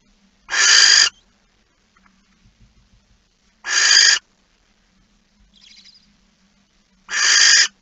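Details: Male barn owl bringing a mouse late at night on 15 September 2019. Three loud, rasping hiss-screeches spaced about three seconds apart, with a brief faint chirp and low hum in the gaps.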